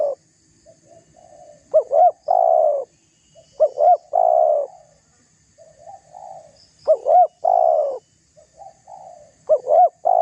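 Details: Spotted dove calls used as a lure to provoke rival doves: loud repeated coo phrases, each a quick double upswept note followed by a long steady coo, about every two to three seconds, with softer coos between.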